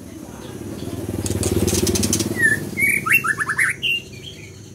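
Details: Scarlet minivet song over a low engine-like rumble: a whistled opening note, then a fast chain of slurred whistles closing on a higher rising note.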